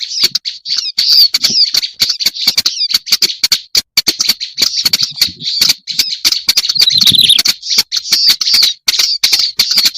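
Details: Lure recording of a black-browed reed warbler: ten seconds of sustained, raspy high chatter with rapid ticking clicks throughout. Short downward-slurred notes appear near the middle and end, and the calling pauses only briefly.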